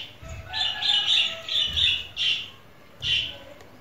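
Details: Baby chicken chicks, hatched in a homemade incubator, eating sweetcorn: a run of loud, high, shrill peeps in quick succession, then a pause and one more peep, with soft pecking thumps below.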